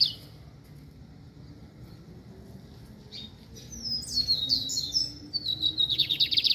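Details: Lined seedeater in brown plumage: after a faint opening note and a quiet gap, a phrase of high descending whistles runs into a loud, fast buzzy trill at the close.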